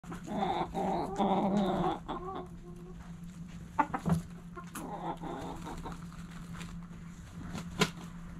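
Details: Backyard chickens at morning sunrise: hens give a dense burst of harmonic clucks in the first two seconds, then scattered short clucks and clicks over a steady low hum.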